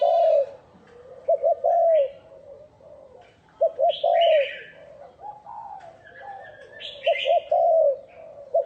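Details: Decoy spotted dove producing clear rolling coos with quick stuttered double notes, used to lure wild doves; bright higher-pitched chirps and twitters from other small birds punctuate the phrases.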